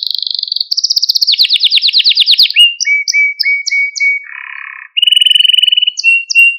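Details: Canary training song to excite young canaries: high rolling trills, then a row of short whistled notes repeated evenly, a low buzzy tour, and a closing fast trill.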